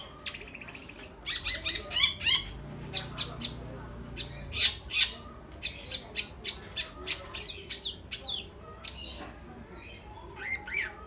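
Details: Long-tailed shrike calling busily: dense bursts of harsh, scratchy squawks and sharp high chips, about three per second at irregular intervals, with some longer buzzy notes mixed in.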